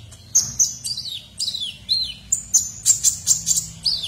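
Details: Sunbird known as kolibri ninja, in lively song as a tutor for white-rumped shamas and oriental magpie-robins; repeated high whistles, several slurring downward, then rapid very high chirps, about two notes per second.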